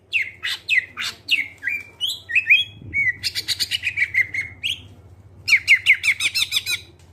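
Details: Clear greater green leafbird song for luring other birds into singing, with sharp repeated chips, slurred whistles, then runs of buzzy rhythmic notes separated by a brief pause, against low background hum.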